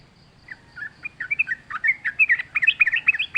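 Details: Wild sooty-headed bulbul in lively song, delivering a quick, bubbly stream of liquid whistled notes that rise and fall and grow louder toward the end.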